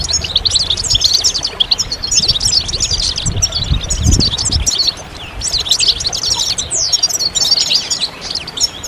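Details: Collective European goldfinch song with mating calls, meant to draw males out of silence; crowded high chirps and trills keep going steadily, with some low-pitched knocking near the middle.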